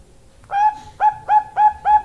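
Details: Female zebra dove of the Bangkok type giving its long call: five short mid-pitched notes with bright overtones, spaced about a third of a second apart, over a low hiss.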